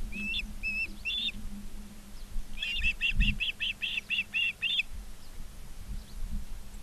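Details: Ospreys at Charlo, Montana, on 19 August 2023 around 16:05, recorded by a live nature cam: short whistled chirps, three spaced notes and then a quick run of about nine sharp, evenly repeated chirps, over a steady low hum and a thump.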